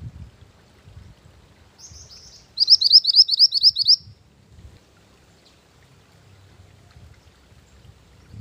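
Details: Mantenan gunung bird singing, used as a lure and master song for training; a short high phrase, then a fast run of about ten sharp, bright, rising notes repeated in quick succession, with quiet low rumble in the background.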